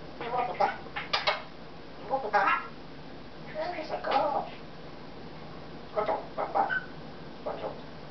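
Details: Congo African grey parrot talking indoors, in December, in clusters of human-like syllables, at one point telling its owner to shut up, with quiet gaps between phrases.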